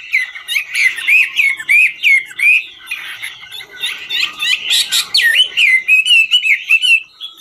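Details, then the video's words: Singing hwamei of the ngũ trường type, dancing as it sings: bright looping whistles in quick succession, a busier burst of scratchy notes midway, then more ringing whistled phrases. "Họa mi ngũ trường hót múa cực chất"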